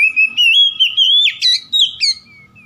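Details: Oriental magpie-robin song meant to provoke a rival: continuous loud sweet whistling, a long sustained note that rises slightly, then quick slurred flourishes and twisting notes.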